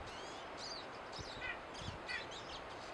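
Pine siskins give a jumble of high, thin twittering and wheezy notes, with short descending trills and a rising zree, over steady background hiss.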